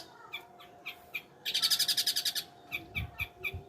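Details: Long-tailed shrike song with scattered high chips, then a fast, harsh chattering rattle of about a dozen rapid notes, followed by more spaced chirps and low thumps, over a steady hum.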